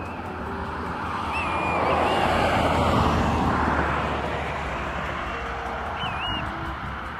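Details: Black-bellied Plovers, not in breeding colours, calling back and forth near a boardwalk and oyster bed at Fort Clinch/Spoonbill Pond, Amelia Island, northern Florida: two plaintive, slurred plee-oo-ee whistles several seconds apart over rumbling noise and soft music.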